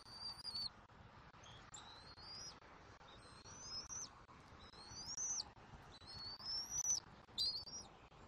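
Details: Bald eagle eaglet on its nest in Southwest Florida on 17 February 2024, grabbing a pelt and tugging it with its mother while being fed. Thin, high, whistled calls slide upward, each ending in a sharp peak, about seven across several seconds, over steady background hiss.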